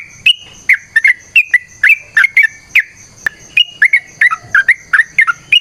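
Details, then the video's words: Lively fighting-style song of a sooty-headed bulbul, used to provoke others to reply: a brisk series of clear, warbling whistled notes in quick pairs and short runs, with one sharp click midway. "TRUCUKAN GACOR TARUNG ROPEL PANJANG"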